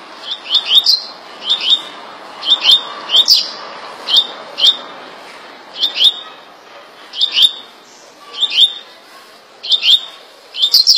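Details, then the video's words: Double-collared seedeater, Rio de Janeiro, giving its fast 'tui tui' song: steady series of high, sharp rising two- and three-note phrases repeated roughly once a second throughout, with light background hiss. "Coleiro tui tui rapido de bico rj"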